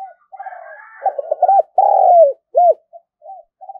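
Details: Spotted dove kept as a lure to attract wild birds, cooing: rapid soft notes lead into a stuttered double coo, one long descending coo and a short arched note, followed by faint trailing coos.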